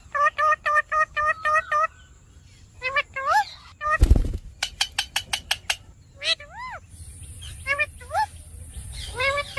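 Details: Cockatiel (Nymphicus hollandicus) giving rapid, harsh chirps and rising-then-falling whistled notes in quick bursts.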